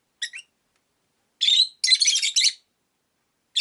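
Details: Caged rosy-faced lovebirds, five kept by a window, giving shrill buzzy chirps: a quick double note, then a long rasping burst of three joined calls, and another call starting at the end.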